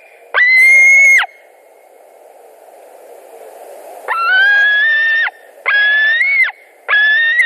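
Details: White-tailed eagles at a nest in Latvia on 2 August 2020, around midday, screaming during a carp delivery and fights between the adults: loud harsh yelping calls with strong harmonics, one long call then three more in quick succession.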